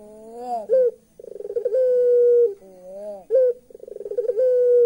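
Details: Eerie laughing call of a puter pelung turtle dove: wavering low coos, then a quick stuttering run of pulses that settles into a long, level, hollow note. The sequence repeats twice within about five seconds.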